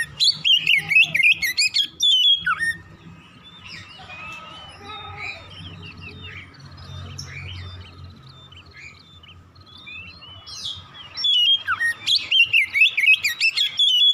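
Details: Oriental magpie-robin singing in the morning in rapid ngropel style: loud bursts of sweet whistled and buzzy notes jumping up and down, opening and closing the stretch, with softer distant chirps and a steady hum between.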